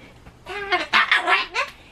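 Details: Timid pet Solomons cockatoo in a house, screaming in response to loud noises it dislikes; a rapid run of five or six raspy, broadband squawks over roughly a second.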